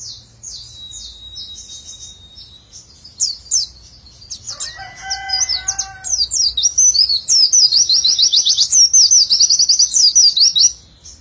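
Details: A white-eye begins with scattered high notes. A lower, steady tonal call from another animal sounds briefly in the middle, then the bird breaks into a loud, rapid, unbroken nembak chatter of witwitwit notes.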